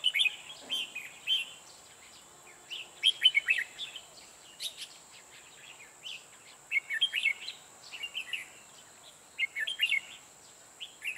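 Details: Red-whiskered bulbul decoy singing to lure wild birds into a trap: bursts of quick, warbling chirped phrases every few seconds, over a constant high-pitched hum.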